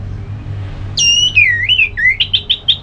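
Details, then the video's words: Orange-headed thrush song meant to make another bird sing: a long, wavering slurred whistle rising and dipping, ending in four or five short emphatic notes evenly spaced. "ANIS MERAH LOYO Bakal SONTAK NYAUT GACOR dan EMOSI dengar Kicauan Ngeplong ini"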